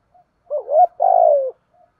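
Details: Spotted doves, male and female, caged birds for training, Thổ and hạp bôi song styles. A wavering low coo that rises, then a long buzzy coo falling slightly at the end.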